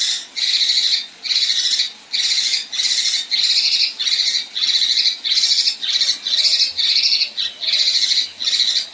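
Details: Rough 'tembakan kasar' calls of a female Kinoi: a steady run of about fifteen loud, grating, buzzy bursts, each roughly half a second, repeated almost without pause.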